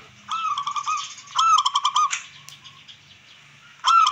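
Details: Zebra dove, local wild form, singing to rouse rival birds and breeding drive: continuous rapid cooing with rolling, staccato pulses, a loud stuttered burst mid-clip, then quiet before another phrase begins, over low background hum.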